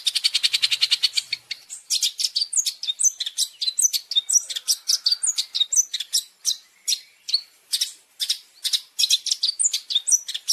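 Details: Long-tailed shrike masteran, champion fill (isian) for caged birds: opens with a rapid rattling trill, then varied high whistles and sharp chips, some sliding downward, repeated in a lively sequence.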